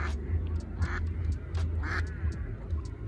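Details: Two adult female mallards with their ducklings, thought to be a same-sex pair. Short harsh quacks come twice over a steady low rumble of background noise.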